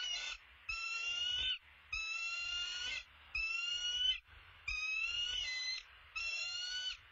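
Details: Bald eagle calling as the male brings an opossum to its nest: six drawn-out, bright tonal bursts about a second long, each gently rising, separated by brief pauses, over a faint low background hum.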